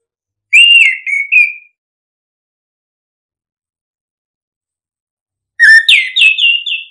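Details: Lure recording of orange-headed thrush ngeplong song: a descending run of three whistled notes, a long silence, then a loud upward-sweeping whistle followed by a string of steady high tones.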